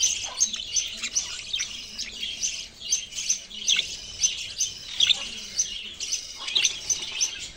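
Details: Several budgies singing together: a steady high chattering warble broken by sharp, squeaky chirps that come every second or so, with bursts of busier twittering and no other clear sounds.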